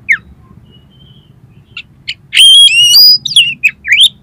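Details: Oriental magpie-robin (kacer) song played as a lure to make a kacer sing and open its tail: a few scattered high chirps, then a loud burst of stacked whistled notes and rapid varied sweeping phrases over faint low background hum.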